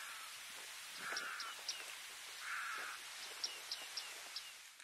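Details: Bearded reedlings (Panurus b. biarmicus) in the Camargue, France, August 2020, give short, bright metallic pings in loose series, with two longer nasal buzzy notes, over a steady hiss of wind.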